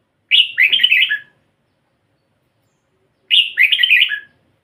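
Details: Caged red-whiskered bulbul with a pied, mottled head singing two short, bright, bubbling warbled phrases about three seconds apart, each lasting roughly one second, separated by silence.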